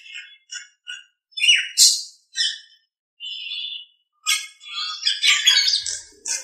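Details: Short clipped notes from a Nias hill myna on a training master recording, then harsh squawks, a held buzzy note, and a loud jumbled chattering burst near the end.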